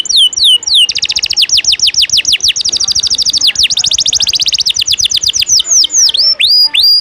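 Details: Tutor recording of canary 'ngejos' filler song for teaching show birds: a few swooping notes open into a long, rapid rolling trill of high downslurred notes, about three per second, ending in sweeping whistles.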